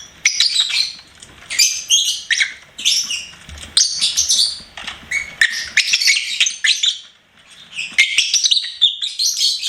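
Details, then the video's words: Pet lovebird singing and chirping: dense bursts of shrill, high chirps and squeaky twitters in rapid clusters, with brief pauses between bursts, continuing throughout. "LOVEBIRD SINGING & CHIRPING SOUNDS"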